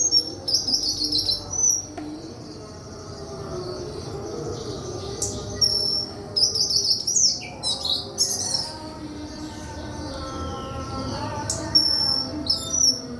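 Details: White-throated flycatcher song of high, clear whistled phrases and twittering runs given at irregular intervals, with a short downward slur midway and steady low background rumble.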